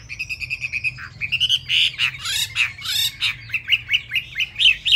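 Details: Chinese hwamei singing fast while its feathers are still wet, a rapid, varied stream of loud whistles and harsh, buzzy notes, shifting quickly between clear and rasping phrases.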